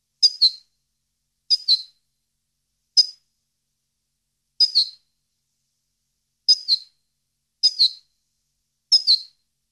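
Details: European goldfinch on a recording for training captive birds, giving short sharp twittering double calls roughly every one to one and a half seconds, seven in all, with silence between.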